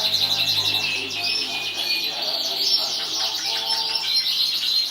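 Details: A 2014 contest-winning canary pours out a dense, continuous high rolling trill with fast overlapping notes and a steady loud level throughout.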